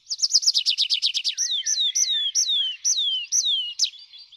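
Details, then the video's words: Tree pipit (Anthus trivialis) song, high-pitched with quickly repeated motifs: a fast run of high, dry trilled notes, then a series of slurred, descending whistles about twice a second. "Boompieper - Anthus Trivialis"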